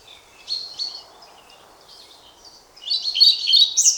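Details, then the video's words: European pied flycatcher singing: two faint short notes early, a quiet pause, then a loud dense burst of high twittering notes in the final second, over soft background hiss. "Мухоловка-пеструшка поёт"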